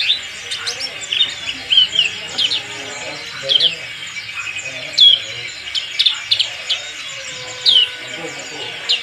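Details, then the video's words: Black-capped white-eye, a fighting bird, singing with its crest raised: bursts of high, thin, downward-slurred chirps separated by short pauses, set against faint background chatter. "pleci black capped bunyi sambil jambulnya berdiri, fighter"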